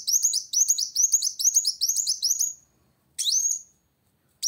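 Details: Van Hasselt's sunbird singing to find an opponent: a fast run of thin, high rising chips for about two and a half seconds, then two separate shrill upslurred notes after silences.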